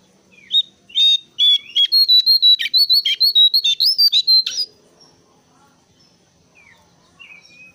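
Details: Brown-cheeked bulbul calling persistently as a lure for other birds: a long run of loud, buzzy, ringing notes, quick and even, climbing slightly in pitch before breaking off; faint chirps and a low hum afterwards.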